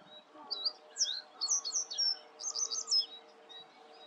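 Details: Singing common reed bunting at Grote Netevallei, Gestel, Belgium, 28 May 2022: a short, high phrase of separate chirps speeding into a quick jingling trill at the end, over a faint low hum.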